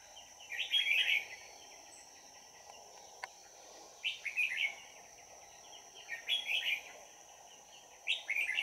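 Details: Red-whiskered bulbul singing as a trapping lure, recorded 22 December 2018. Four short bursts of lively warbling notes come at intervals of about two to three seconds against a constant high-pitched whine and background hiss.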